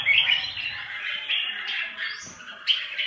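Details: A red-whiskered bulbul in a bullying squabble, giving a continuous harsh, scratchy chatter with a few higher squeaky accents and a sharp upward note near the end.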